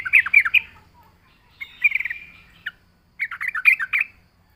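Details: Yellow-vented bulbul singing vigorously, a lure recording for drawing in wild bulbuls: three bursts of bubbly, chattering notes, the middle one a drawn-out warbled phrase, with pauses between them.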